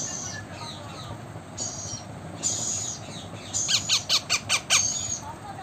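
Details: Talking blue Indian ringneck parakeet; faint high squeaks at first, then six evenly spaced loud raspy notes in a row near the end, rather like rapid chattering.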